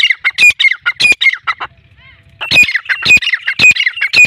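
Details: Sindhi-breed black francolin giving grating, squawking call phrases repeated roughly twice a second, with a brief pause midway before the series resumes.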